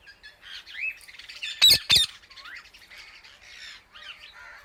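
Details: Indian ringneck parakeet calling all the birds: chattering, wavering chirps interrupted by two harsh, explosive squawks close together, then more fast chatter.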